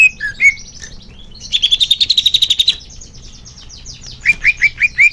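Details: Greater green leafbird singing, used to spur caged birds into song. Varied whistles are followed by a rapid buzzy trill of about a dozen notes, softer chatter, then five clear rising whistled notes.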